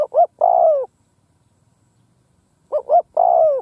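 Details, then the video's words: Spotted dove kept as a field decoy, cooing to attract wild birds: a three-note phrase of two quick coos and a drawn-out descending note, repeated once after about two seconds of silence. "Tiếng cu mồi đất gù gáy vang dội cánh đồng / Cu mồi đất gù phóng - Gáy chiêu Bổi giữa cánh đồng"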